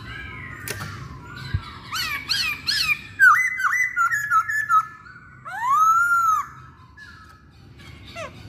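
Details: Masked laughingthrush singing as a lure for others: varied whistles, a trio of bouncy rising-falling notes, a quick run of dipping notes, and one long arched whistle.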